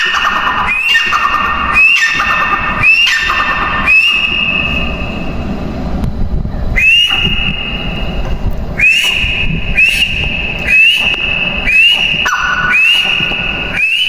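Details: Female grey francolin (mada teetar) giving a series of ringing whistles, each rising then levelling, about once a second; a short pause midway before the series resumes over low background rumble.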